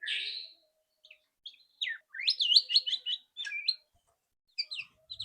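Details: White-rumped shama, loud rattling song used to prompt a bird to sing quickly; a strong opening whistle followed by quick jumbled chirps and twittering notes with brief pauses.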